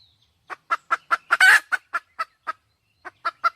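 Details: Wild junglefowl hen with a fast series of clipped clucks, a single loud rasping squawk in the middle, a brief pause, then more clucks.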